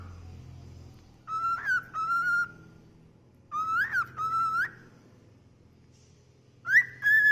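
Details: A happy 10-year-old pet cockatiel gives clear, slightly warbling whistles in three short bursts, each rising then leveling off.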